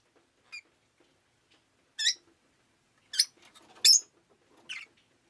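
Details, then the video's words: Shrill chirping from a pet rosy-faced lovebird on a rainy day: five scattered, high, rasping notes, growing louder, spaced roughly a second apart, in an otherwise quiet room. "Lovebird Chirping Sounds"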